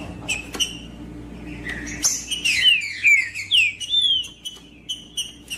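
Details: Green-winged saltator singing, offered as song to warm up and motivate quiet birds: a run of loud, slurred whistles sweeping downward, clustered in a rapid phrase, preceded by sharp ticks, with a faint steady hum beneath.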